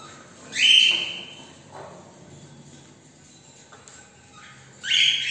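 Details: Pet cockatiels after a morning walk, giving a loud shrill whistled call that drops in pitch, a quieter note, then another piercing rising call near the end.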